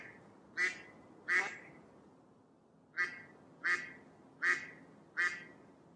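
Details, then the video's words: A Mallard gives six loud, nasal quacks, a pair and then a run of four, each about two-thirds of a second apart, over faint background hiss. "Mallard Duck audio"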